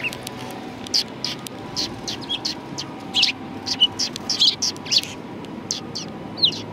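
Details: Sparrows at a Tenmangu shrine in Japan, 1 March 2020, giving rapid chattering chirps in dense runs, a few notes sliding downward, with low ambient noise beneath.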